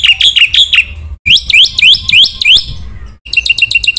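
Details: Black-winged myna masteran training song, full and varied, meant to provoke other mynas: loud, ringing whistled notes rich in overtones, delivered in three rapid bursts split by abrupt short gaps, early phrases slurred downward, the last a fast run of short identical chirps.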